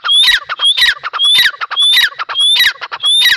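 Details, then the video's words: Grey francolin, known locally as Dakhni teetar, calling loudly: harsh, rattling phrases with a thin rising whistle, repeated about every half second without pause. "Teetar Awaz | Dakhni Teetar Voice | Teetar Sound"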